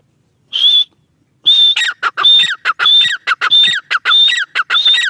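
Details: Female teetar, or grey francolin, opens with one isolated high shrill note, then breaks into a rhythmic run of alternating long ringing notes and short harsh downslurred notes.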